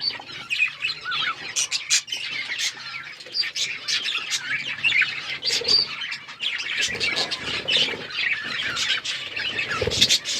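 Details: A flock of budgies chirps as they eat seeds: rapid, irregular high twitters and harsh little squawks overlapping throughout, punctuated by sharp clicks and rustles.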